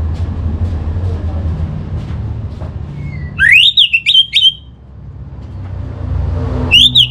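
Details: Orange-headed thrush from North Bali, Singaraja, song used as a lure to get kept birds singing: after a low droning hum, a loud burst of rapid, rising and warbling whistled notes, then another brief phrase near the end.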